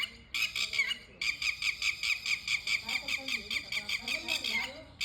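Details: A bird calls in Kodiya village, Karauli: harsh, buzzy, chattering notes repeated rapidly about twice a second in a steady series, broken by a brief pause near the start, with a faint low murmur beneath.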